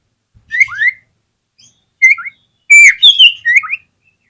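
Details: Oriental magpie-robin song played to trigger other magpie-robins to show off their repertoire: short swooping whistled phrases separated by pauses, ending in a louder cluster of bright chirps and slurred notes.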